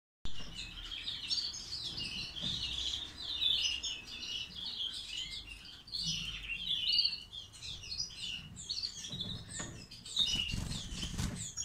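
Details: Kept European goldfinch, tried with a mate, singing the classic çizgi and half ak gerdan song types: long tinkling twittering phrases, high and jumbled, in bursts separated by short pauses, with low background rumble.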